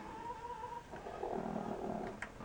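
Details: A pet rooster, behaving oddly and nesting beside a hen sitting in a box (owner thinks he may be guarding her), gives a thin, steady whine, then a low warbling trilled croon. A hen also makes typical noises. Faint background noise.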